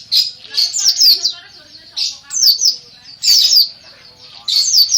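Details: Greater green leafbird singing energetically in captivity: repeated bursts of shrill, fast-slurred whistles and chattering notes roughly every second, each burst loud and high-pitched, with quiet gaps between them.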